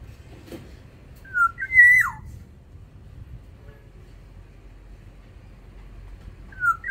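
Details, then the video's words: A Sumbawa black-naped oriole in an aviary whistles one full mellow phrase with a falling end, and a second phrase begins as the recording ends; a faint click comes early on. "Keodang emas sumbawa di dalam aviary gacor"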